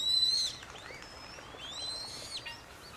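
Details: Eurasian coot family, an adult with five chicks, filmed in Beverwijk, the Netherlands. A loud, thin, high whistled note opens the clip. Fainter arching squeaky notes follow over quiet background hiss.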